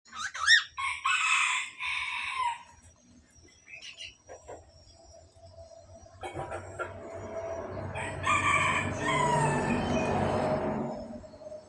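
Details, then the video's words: Budgerigars at a breeding aviary: bursts of harsh, buzzy chattering warble in the first two and a half seconds, a quieter stretch with faint clicks, then denser chirping chatter from about eight to ten seconds over a low hum. "burung parkit australi"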